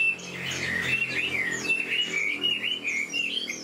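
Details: An old wild-caught Chinese hwamei delivers fast, fluid whistling, sliding notes linked into a rolling warble that barely pauses.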